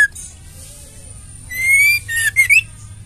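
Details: Female white-rumped shama used as therapy to rouse male shamas to sing: one long, slightly rising whistle followed by a downslurred whistle and two quick rising notes, over steady low hiss.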